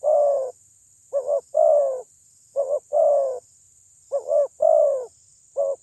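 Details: Spotted dove lure call meant to provoke rival birds: a deep cooing phrase of a short quick double note followed by a long, drawn-out coo, repeated about every 1.5 seconds, with a steady high electronic whine throughout.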